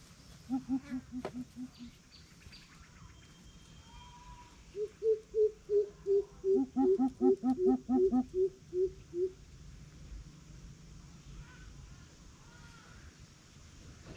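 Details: Greater coucal challenge: a few low hoots, then a long accelerating run of about fifteen loud, deep booming notes, the series stepping down in pitch as it goes, before fading. A soft background hum persists.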